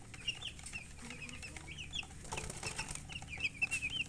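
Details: Baby chicks chirping: many short, high peeps, each slightly rising or falling, scattered irregularly with brief gaps and overlapping now and then, over a steady low hum.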